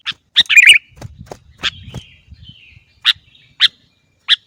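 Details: Sooty-headed bulbul song recorded as a tutor track for caged birds: sharp, separate chirps spaced about half a second apart, with a short bubbly burst near the start and faint low rustling beneath.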